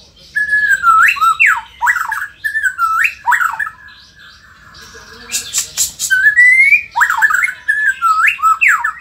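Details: Indonesian white-rumped shama in full song, loud phrases of steady whistles followed by fast downward and upward slurred sweeps, repeated in bursts; a short noisy rasping burst sits mid-sequence before the sweeping phrases return.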